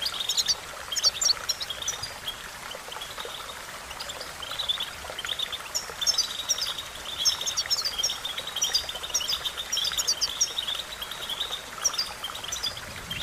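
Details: European goldfinch singing in a recording meant to train songbirds. Liquid chirps and trilled phrases run continuously over thirteen seconds, louder near the start and in the middle, against a steady natural background hiss.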